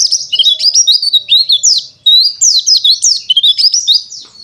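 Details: Continuous high twittering from a pleci dakun wilis white-eye, a lively string of quick sliding chirps and warbles with barely a pause, clear and close.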